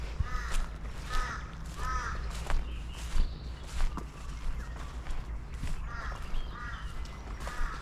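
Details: Torresian crow calling overhead at Mookin bah wetlands in spring 2024, with a couple of crows about: harsh, nasal caws in two runs of three, about two-thirds of a second apart, over low wind rumble with faint other birds.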